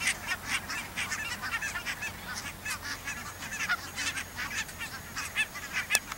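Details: Goose flock, Pink-footed and Brant, near the Borreby bogs on low, wet ground. Moderate, continuous honks and yelps overlapping one another, with a sharp click just before the end.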